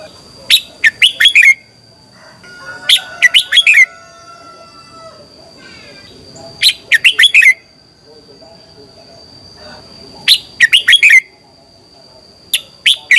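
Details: Red-whiskered bulbul morning song for training, five bursts of three to five rapid, ringing whistled notes spaced about three to four seconds apart, with a faint longer whistle and soft chatter between phrases.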